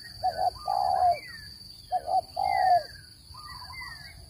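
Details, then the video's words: Spotted dove call used to lure birds into traps: two short low coos followed by a longer drawn-out hoarse coo, the phrase given twice, with faint thin chirps above and a steady high electronic whine. "Tiếng chim cu gáy dùng để bẫy chim,giọng chuẩn không tạp âm"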